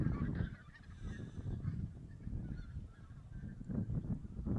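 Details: Geese at a Silesian goose count in November 2016, possibly including Barnacle, White-fronted, Greylag and Bean Geese; distant, overlapping honks drift through steady low rumbling background noise.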